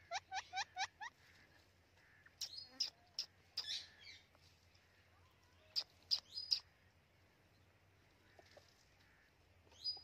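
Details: Hand-tame pet white Indian ringneck parakeet: a quick run of five harsh, harmonic squawks, then scattered sharp high chirps and clicks with short pauses between them.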